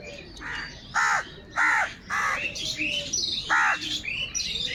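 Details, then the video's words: Crows contesting food: loud, grating caws repeated roughly every half second, then a pause and another caw, with other birds chirping throughout. "Kaka sound and noises of Crow birds"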